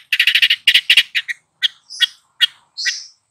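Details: Long-tailed shrike in full energetic song while tutoring two young birds: a fast burst of harsh chattering notes, then spaced rasping chips and a drawn, buzzy upslurred note near the end.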